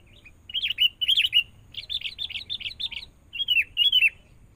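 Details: During training with a lure bird, a forest-caught sooty-headed bulbul sings a mix of rising-falling whistles, a quick run of chirps and two final drooping slurs.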